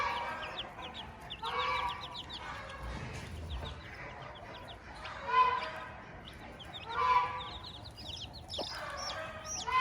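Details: Hen with her chicks on a farm: scattered nasal clucks at irregular intervals, one sharp knock, and continual high, descending chick peeps throughout.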